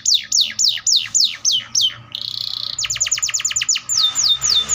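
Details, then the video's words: Atlantic canary singing, described as sounding like in the wild: a series of loud descending whistled sweeps, then a steady buzzy trill, a rapid run of repeated notes, and clear downslurred whistles, all high-pitched and strongly rhythmic. "THE VOICE OF THE CANARIA SERINUS BIRD - A MOST MOODY SOUND LIKE IN THE WILD"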